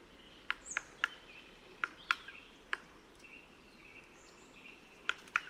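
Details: Close-range Black Woodpecker in February, outside breeding season, knocking on wood to locate hollows holding insect larvae; scattered loud single and double taps separated by pauses, distant traffic hum and thin bird calls behind.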